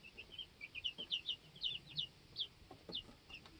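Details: Two-week-old chicks inside a homestead chicken coop; rapid high cheeps, some rising and some falling, crowd together from several birds, with soft pecking taps beneath.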